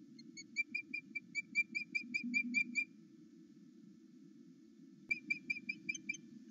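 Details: Male osprey at a nest on Loch Arkaig, filmed by a live nest camera between 08:00 and 09:00, excited at his mate's return: a rapid series of clear whistled chirps, about a dozen in three seconds, a pause, then another burst.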